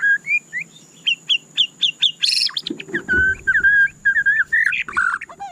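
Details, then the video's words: White-rumped shama song, a rapid mix of sharp high chips, buzzy bursts and rich fluted whistles in quick, varied phrases, with some low rustling in the background. "suara candu Murai Batu"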